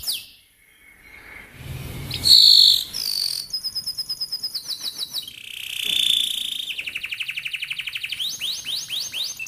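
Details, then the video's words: Canary song for training young canaries: after a quiet start and a brief low rumble, high buzzy tones and fast rolling trills follow, ending with a run of downward-slurred whistled notes. "Burung KENARI GACOR NGEROLL||PANCINGAN KENARI PAUD MUDA HUTAN CEPAT BUNYI NEMBAK"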